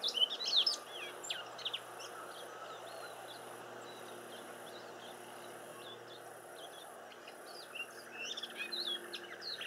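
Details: Silvereyes visiting a garden give quick, high-pitched chirping twitters, clustered at the start and again near the end, with quieter scattered chips between, over constant low hiss.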